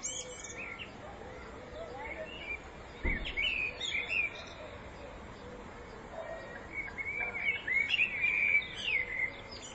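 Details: A common blackbird (Turdus merula) in spring 2014 sings short, mellow, fluted warbling phrases with twittery ends, spaced a second or two apart, over a soft background hiss and a single knock.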